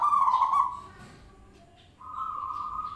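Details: Zebra dove call used as a sound lure to make other birds answer: two soft, trilled, cooing phrases, the first fading after about half a second, the second starting after a pause of roughly one second, with faint background hiss.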